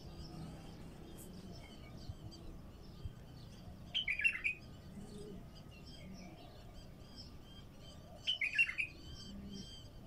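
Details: Raw bulbul song, played to get wild bulbuls singing: two short, bright chortled phrases about four seconds apart, rising and falling quickly, over a faint steady background hum and soft distant chirps.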